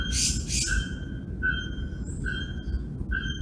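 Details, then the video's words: Bare-throated bellbird, Sao Paulo Botanical Garden, Brazil, August 2024: a harsh double clank opens, followed by four evenly spaced ringing metallic tones, with faint higher whistles and constant low background hum. "Arapongas vocalizando (Procnias nudicollis)"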